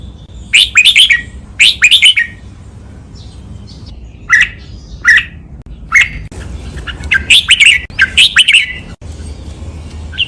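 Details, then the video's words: Red-whiskered bulbul singing a clear training master song in the double, counted-phrase 'lak wai' style: repeated bubbly whistled phrases, paired single chirps in the middle, then two more rolling flourishes, over soft background hum. "นกกรงหัวจุก | เสียงร้องเบิ้ล 2 นับดอก แม่บท ลากหวาย คมชัด ไว้ฝึกนก (เสียงฝึกร้อง)"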